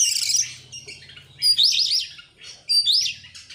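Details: Excited oriental magpie-robin in gacor ngobra song, tail open: dense buzzy chatter and loud high swooping whistles in two strong bursts, over a low steady hum.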